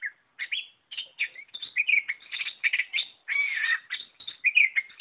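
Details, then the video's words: Oriental magpie-robin (kacer) in full, vigorous gacor singing: a dense, continuous run of varied chirps, rapid trills and whistled notes, mostly high-pitched, with short gaps between bursts and no other sounds. "Burung kacer Lot Full Gacor"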